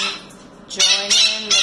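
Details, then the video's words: Pet Blue-crowned conure kept indoors letting out three loud, harsh squawks in quick succession as a person sings nearby. "Conure Talking & Sounds | Blue Crown Conure Parrot Singing & Dancing"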